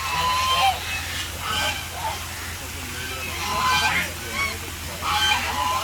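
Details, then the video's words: Ducks calling loudly in harsh, nasal honking bursts that come in uneven clusters about every one to two seconds, some calls overlapping, over a steady low hum with faint human voices in the background. "Ducks making super noise"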